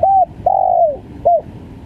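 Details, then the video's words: Close spotted dove, stuttering 'gagap' caller: a short arched coo, a long smooth coo sliding downward at its end, and a brief final note, all loud and clear over quiet low background noise. "SUARA TEKUKUR||GAGAP FUL"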